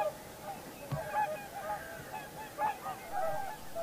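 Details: Several Common cranes (Grus grus) at Heinä-Suvanto nature reserve, Viitasaari, on 26 April 2011, give loud, rolling, trumpeting calls that overlap and repeat at an uneven pace over a soft background hum.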